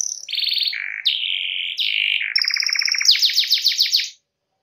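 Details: Lively canary singing, meant to encourage other canaries to sing: a varied string of trills, a low rolling phrase, smooth whistles and a rapid buzzy rattle, finishing with quick downward sweeps.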